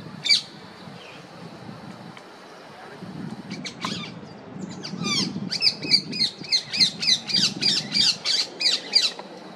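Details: Female rose-ringed parakeet giving a fast run of shrill, grating screeches, scattered at first then about three per second in a steady burst toward the end, with low rumbling background noise.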